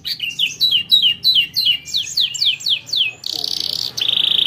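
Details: A canary's song meant to encourage other birds to sing: a series of about a dozen descending chirped syllables repeated several times a second, ending in a steady buzzy trill.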